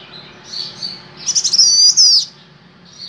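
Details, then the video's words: A male Golden-bellied Gerygone in vigorous song: very high, thin whistles, then a loud burst of sweeping, slurred notes lasting under a second before quieter whistles resume. "SUARA BURUNG CIU KUNYIT JANTAN GACOR"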